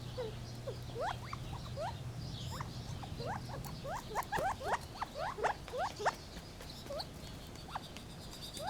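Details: Gambel's quail giving many short, rising chirps and squeaky upward-sweeping notes, several overlapping and bunched toward the middle, over a steady low hum and faint rustling.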